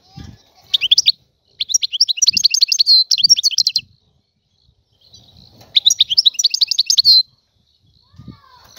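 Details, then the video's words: Wild European goldfinch, referred to as an Algerian goldfinch, singing rapid tinkling phrases of high twittering notes, a short burst then a longer rippling run, a pause, and another fast liquid phrase. "تغريد طائر الحسون الحر"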